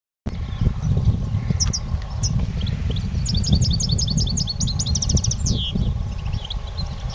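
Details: Competition European goldfinch singing: scattered high, sharp chirps at first, then a fast twittering run of repeated high notes ending in a quick rattling trill, over steady low thumping and rumbling noise.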